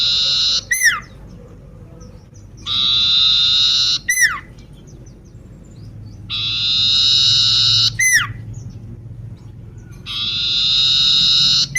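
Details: Sooty-headed bulbul with a disabled leg, singing persistently: four long grating buzzes, each closed by a steep falling whistle, roughly every four seconds over a low background hum.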